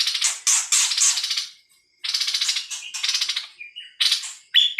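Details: Loud, hissing, rasping song phrases come in quick bursts, with a few clear whistled notes near the end.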